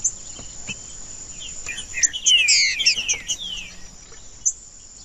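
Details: Green-winged saltator song for warming up birds kept for song tournaments: quiet at first, then a dense loud flurry of tumbling whistled notes, sliding down, for about a second and a half, fading back to a steady high whine.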